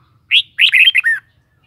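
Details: One quick phrase from a red-whiskered bulbul: a sharp whistled note, then a fast run of four chirpy warbled notes ending in a downslurred whistle, in quiet surroundings.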